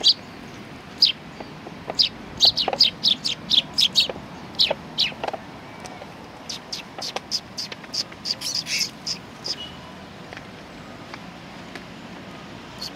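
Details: Several sparrows coming for food at a Tenmangu shrine on 19 September 2020: dense overlapping chirps and tweets in quick bursts, busiest in the first half, thinning to sparse single chirps toward the end over a low steady hum.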